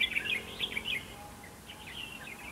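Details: Red-whiskered bulbul decoy singing in a fighting trap to provoke rivals: a short cluster of quick warbled, rising notes, then softer chirps trailing off.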